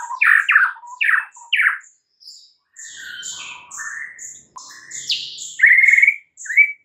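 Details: White-rumped shama singing energetically in the morning: loud, varied whistled phrases, some rich and slurred, others high, thin and sharp, delivered in quick bursts with short pauses, including a few buzzy rising notes; no other sounds.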